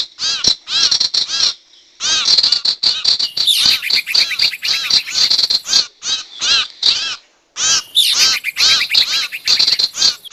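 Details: Sirtu calls used as a lure recording for trapping wild birds: dense runs of sharp, bright chirps with harmonic sweeps, fired in rapid bursts with short pauses, plus higher hissy chatter at times.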